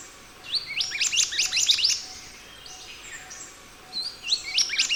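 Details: Scarlet minivet in energetic song, recorded as a training track for other birds: two bursts of rapid, rising high chirps with a quieter pause between them.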